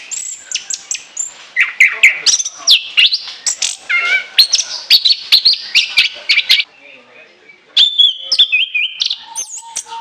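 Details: Lure recording of an orange-headed thrush: clear whistled notes and rapid chip series sung loudly, broken by a short pause near the seventh second before a new high phrase begins.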